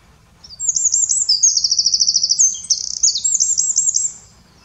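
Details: Singing Eurasian wren, Eifel region of Germany: after a brief pause, a piercing high song of quick clipped notes rolls into a long even trill, a faster buzzing trill and closing chattering flourishes.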